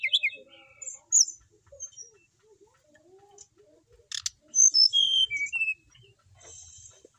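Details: A settled, consistently singing brown-chested jungle flycatcher from Bali gives irregular bursts of high, sweet whistles and slurred notes, some rising and falling, with a brief sharp rattle midway; faint low murmurs underneath.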